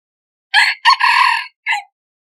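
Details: Crow of a hybrid red junglefowl decoy rooster, a brief opening syllable, a long strained middle note and a short dropping ending, clean with no other sounds.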